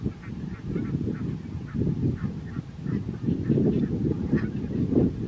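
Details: A flock of barnacle geese at Strijen, South Holland, the Netherlands, on 4 November 2024 gives a steady chorus of short, yapping honks, many birds overlapping in quick succession with a low murmur underneath.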